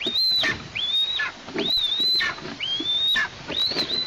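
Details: Recently fledged female Eastern imperial eagle heard near the nest in Tatarstan in August 2023, away from the nest after its first flight. Loud whistled calls, each a rising then level note with a falling tail, come close together, four in four seconds.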